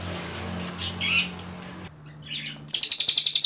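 An Ashy Tailorbird bursts into a rapid run of very high, sharp notes, about a dozen in under a second, after a few faint chirps over a low hum.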